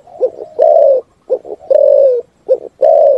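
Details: A spotted dove gives its 'thúc gù' cooing song. Two quick soft coos lead into a sustained, slightly falling coo, and the phrase repeats three times without a break.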